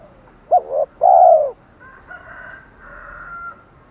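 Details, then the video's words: Spotted dove decoy call, 'thổ' style, for luring wild doves: one phrase of two quick coos and a drawn-out coo, followed by faint distant whistled bird sounds. "chim cu gáy THỔ pha thúc đấu dút chim bổi"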